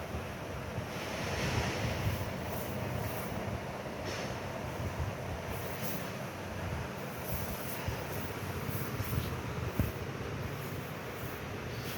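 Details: Steady low rumbling noise like wind or a passing train, with no animal voice heard.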